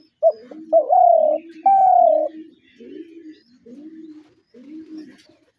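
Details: A short clipped note, then two long, slightly falling coos from a spotted dove, followed by a run of softer, lower cooing phrases that repeat about every second.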